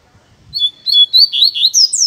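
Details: Caged male Double-collared Seedeater taken outdoors in a neighbourhood in late afternoon, singing loudly to draw another bird's attention: a quick run of high, slurred whistled notes that climb and dip, about four or five a second, after a faint low rumble.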